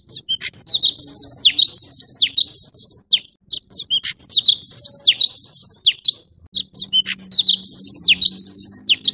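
An orange-bellied leafbird sings a rich, rapid medley of high chirps, whistles and sharp downslurred notes in near-continuous phrases, with faint low indoor hum beneath.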